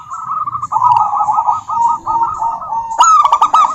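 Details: Rolling, stuttering coos from a local female zebra dove calling to a rival, steady and continuous, ending in a louder, sharper phrase; faint low background noise.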